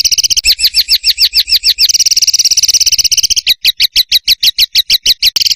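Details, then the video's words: Bird song for masteran, a training recording of varied fill phrases for songbirds like magpie robin and kacer: a rapid high trill of buzzy notes, then sharp pulsed chips about five per second, abruptly spliced. "BURUNG FULL ISIAN TEMBAKAN"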